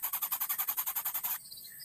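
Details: A Greater Coucal chick begs for food in quick, buzzy, rasping bursts, roughly eight per second, stopping abruptly, after which faint high chirps from other birds remain.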